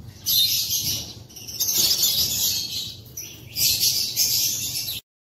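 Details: African lovebirds perched in an aviary on an April 2024 morning, including opaline, greywing, edge and fallow colour mutations, give dense, shrill, high chattering in two long bursts separated by a short lull.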